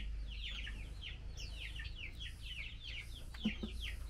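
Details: While taking mealworms, a female Chinese hwamei keeps calling to the male: rapid, uneven bursts of high, descending chipping notes, with a brief knock near the end and a low hum throughout.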